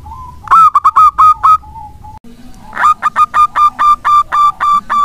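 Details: Local Indonesian zebra dove (perkutut lokal), a frequent singer kept as a lure to stimulate other doves, gives two runs of clear, ringing coo notes, about seven quick notes and then around ten steadier ones, with a short pause between.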